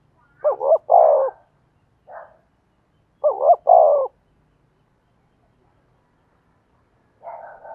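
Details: Spotted dove decoy cooing in the thổ style with two phrases of a quick double coo and a fuller held note. A brief soft note falls between the phrases, and a rough note comes at the end.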